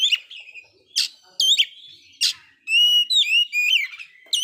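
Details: Oriental magpie-robin that failed to moult, singing very actively: clear whistled notes with rising and falling sweeps, some high and ringing, others buzzy, in short phrases broken by brief pauses.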